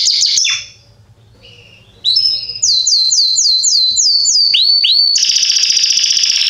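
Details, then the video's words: Belgian Salsa canary, a male singing loudly, kept as a tutor to teach young birds to sing: a sharp opening note and a drop, a brief pause, then a run of rising slurred whistles about four per second, closing in a dense buzzy trill. "Canário Belga Salsa Cantando Estourado 2"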